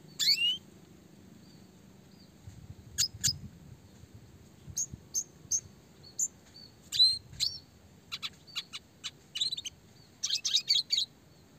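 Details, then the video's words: Red siskin classic chirping for training small songbirds, roll tembak speed rapat style: scattered high chirps and twitters at irregular intervals, building to quick clustered notes near the end, faint low background rumble. "red siskin gacor suara jernih roll tembak speed rapat"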